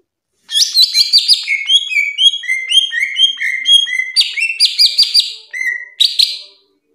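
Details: Greater green leafbird, kept as a caged bird and trained as a song tutor, pours out a loud, fast string of clear whistled notes and slurred chirps, continuous for about six seconds with a brief pause near the end.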